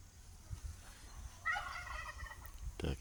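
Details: A turkey in a backyard gives one fast, bubbling gobble lasting about a second, over a low outdoor rumble, with a sharp knock just after.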